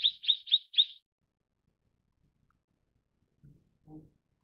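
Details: Mrs. Gould's sunbird giving four quick, high, sharp chirps within a single second, then silence with two faint low thumps near the end.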